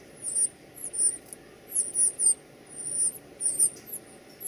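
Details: Northern cardinal feeding its young at the nest: very high, thin squeaks in quick clusters of two or three, about ten in under five seconds, over a soft low background hum.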